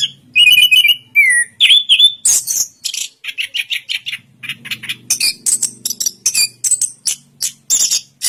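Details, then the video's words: Orange-headed thrush from Indonesia opens with fluty, slurred whistles, then switches to fast, rhythmic chattering notes of about two or three a second, with a faint low hum behind. "Suara Burung Anis Kembang Durasian"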